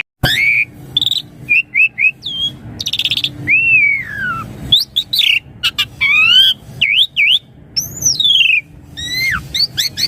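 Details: Song of an Asian pied starling meant to draw answers from young birds, mixing long curved whistles, buzzy harsh bursts, rapid clicks and sweeping up-and-down slurs in a lively, nearly unbroken stream.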